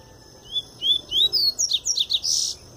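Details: Pure Tui Tui song of a Double-collared seedeater coming out of molt: several rising whistled notes climbing in pitch, then a rapid run of short descending buzzy notes ending in a harsh burst.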